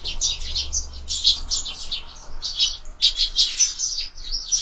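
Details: Window-feeder sparrows in a loud, steady chatter of high chirps running together in bursts, with brief gaps between.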